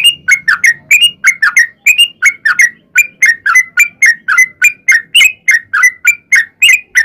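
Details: Long fighting song of a sooty-headed bulbul, played as a lure to make other bulbuls respond; brisk sequence of clear fluty notes, roughly three each second, with faint low noise at the start.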